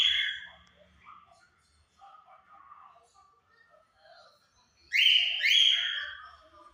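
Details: Pet cockatiel pair, one white and one yellow, singing at 5 pm: a loud rasping whistle opens, followed by soft scattered chatter, then two strong harsh downslurred calls near the end.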